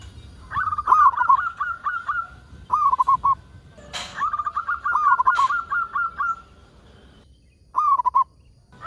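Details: ['Local zebra dove in full calling form, played to lure other doves into calling: bursts of soft rolling, bubbling coos in a quick trill, repeated in phrases of about one to two seconds, with a couple of sharp clicks between.']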